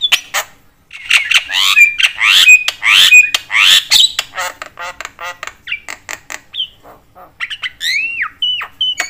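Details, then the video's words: A very chatty Javan myna, whose calls are said to agitate other mynas, gives loud, rasping, grating bursts and squawks early on. Later come short clicks, whistled slurs and a downward-swooping whistle. "jalak kebo gacor BAWEL sekali bunyi bikin semua jenis burung jalak emosi koar koar"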